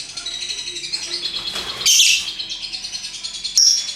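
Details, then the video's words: Colourful lovebirds singing in ngekek style: a steady run of high, thin chattering notes with two louder shrill squeaky bursts near the middle and the end. "Burung Lovebird Rupa Rupa Warnanya, Burung Paruh Bengkok, Bunyi Ngekek Gacor"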